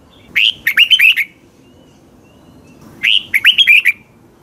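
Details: Morning song of a red-whiskered bulbul used for training birds: two bright, liquid phrases, each starting with an upslurred whistle and then a run of short, looping notes, separated by a quiet gap of nearly two seconds.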